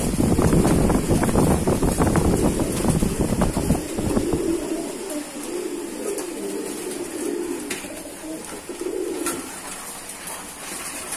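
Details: Pigeon keeping: loud low rumbling noise fills the first seconds, then kept pigeons give a series of soft, low, bubbling coos in overlapping bouts.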